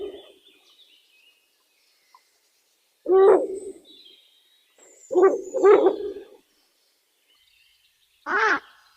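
An owl gives three loud, low hoots at irregular intervals, the middle one doubled, with faint high twittering in the background.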